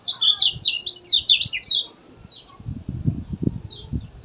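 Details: Rapid, tumbling high chirps of a kecial kuning in gacor mode for about two seconds, then only sparse notes while low thumping and handling noises take over.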